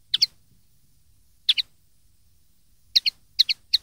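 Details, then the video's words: Common linnet song for tutoring young birds: short paired chirps, high and slightly buzzy, in clusters separated by pauses, the last ones coming faster; quiet background. "cd educar pardillos noveles 2013"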